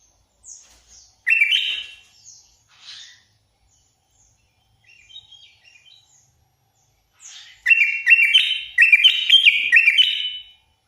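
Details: Sooty-headed bulbul singing its full fill-in song: short chirpy whistled fragments and quiet twitters, then two lively rolling phrases of bubbling notes that step up and down, separated by pauses.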